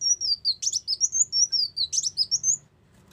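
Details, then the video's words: Lure song of a brown-throated sunbird for trapping birds: a steady stream of high sliding whistles and scratchy chips, about a dozen notes in rapid succession before stopping. "pikat burung kolibri wulung masteran"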